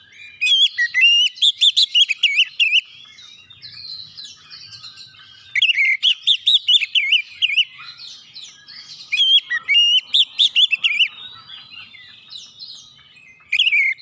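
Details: Long Oriental magpie-robin song meant to provoke other birds into singing: several bursts of loud, fast, varied whistles and warbles, each lasting a few seconds, separated by short quieter gaps of softer twittering.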